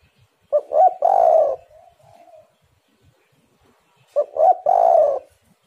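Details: Spotted dove, known locally as tekukur or derkuku, singing a lure song: a three-part coo phrase of two clipped notes and a long rolling note, followed by a soft trailing coo, then repeated after about three seconds of quiet.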